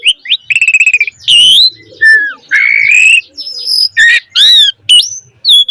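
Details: Lively Javan pied starling song, used as a lure and tutor for young birds: long, level whistles and a quick rattling stutter, then rising and falling whistled slurs and bright chirps in an uneven, busy sequence.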